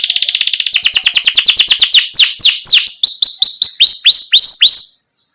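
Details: Canary in full, lively song played to coax young birds into singing: a very fast high rattle that slows into a steady series of sharp, down-slurred chirps, each repeated about twice a second.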